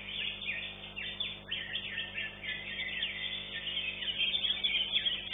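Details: A second-place-winning greater green leafbird sings at a songbird contest arena, pouring out a fast, continuous run of high chirps, slurred whistles and chatter, about three notes a second, over a low steady hum.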